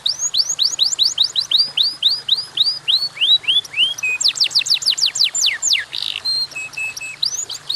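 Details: Canary song of evenly spaced rising whistles repeated roughly four times a second, then steep descending notes, a harsh burst and short flat tones.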